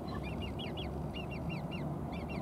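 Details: A late Great Crested Grebe chick, not yet able to catch fish, begs with thin, high, plaintive piping notes, about five a second in short bursts, and is fed fish by a parent; Great Lake, Catherine Park, Pushkin, St Petersburg, 17 September 2024, over low rumble.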